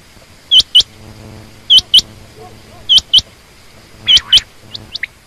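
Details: Female quail giving paired rising chirps roughly once a second, followed by a few softer, lower notes at the close.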